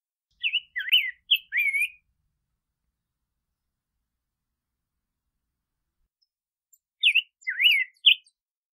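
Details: Two brief bursts of rose-breasted grosbeak song, each a few quick warbled whistles, separated by about five seconds of silence.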